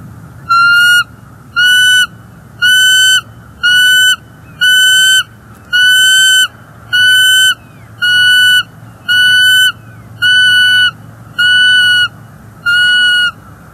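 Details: At a Northeast Florida nest cam in January 2024, the female bald eagle calls in displeasure at an intruder eagle on the lookout branch. A long series of about twelve flat, ringing whistled notes is spaced roughly once a second, with a low hum underneath.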